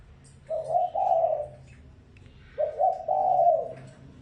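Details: Spotted dove decoy call, used to provoke wild doves: two low, soft phrases about two seconds apart, each a short stuttered note running into a longer rolling coo, against a quiet background.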